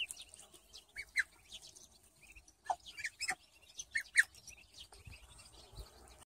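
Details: Muscovy ducks on a duck farm: short, high peeps come in scattered bursts with no steady rhythm. Clicks and knocks sound among them, over a quiet low background.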